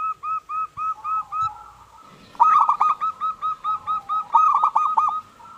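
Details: Local zebra dove in full song, kept to lure other doves into singing: rapid series of short, clipped cooing notes, about five per second, in two bursts separated by a brief pause, with a fainter second caller overlapping.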